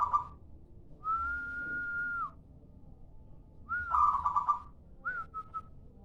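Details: Lure call of a local zebra dove: a long steady whistled tone held over a second, a pause, then a rapid bubbling coo trill and two brief slurred whistles, over a faint low hum.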